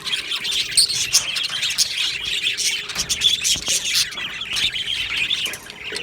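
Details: Colony of budgerigars in an aviary on 22 June 2025, a lively chorus of high, twittering chirps and scratchy warbles overlapping continuously, fading slightly at the end.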